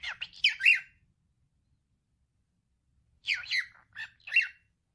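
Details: Male cockatiel kept as a pet, talking in two clusters of hoarse, squawky syllables separated by about two seconds of silence.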